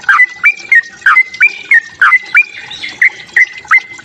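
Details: Sooty-headed bulbul fighting song, played to provoke other bulbuls: a dozen loud whistled notes, each a short burble jumping up to a held level tone, spaced roughly every third of a second.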